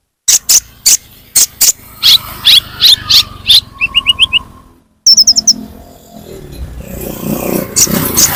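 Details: Sunbird lure sound: evenly spaced sharp chirps, then short falling notes and a brief fast high trill. Background hiss and broadband noise grow louder toward the end.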